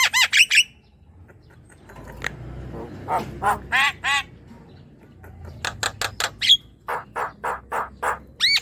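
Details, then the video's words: Javan myna song meant to make a lazy young myna sing: a few rapid harsh notes, a quiet stretch, then evenly repeated rasping calls with one bright squeaky whistle. "Jalak kebo muda yang diam dan malas bunyi pancing dengan ini ~ jalak kebo gacor"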